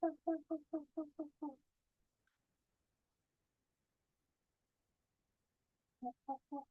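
Short-eared Owl giving a quick run of seven nasal, yelping notes, then a pause and three more, with an odd monkey-like quality.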